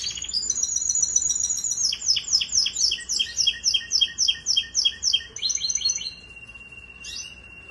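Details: Singing Russian canary delivers a fast sequence of sharp descending chirps, about four per second, after an opening high trill, then breaks into quicker twittering notes and closes with a thin steady whistle.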